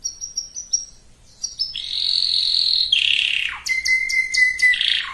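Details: Canary singing to bring males and females into breeding condition; a string of high short whistles leads into a long buzzy roll, a falling slur, then a flat pure whistle mixed with clicking notes.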